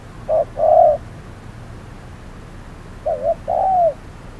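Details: Decoy spotted dove calling while set out for trapping in midday heat. Two separate phrases of soft coos, each a short note or two and a longer note with a falling end, separated by a few seconds of silence.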